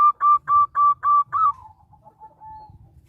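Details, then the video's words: Local zebra dove, used as a lure and to start other doves singing: six strong cooing notes in a steady row, trailing into faint soft coos over a low rumble. "Perkutut lokal gacor suara menghipnotis burungmu"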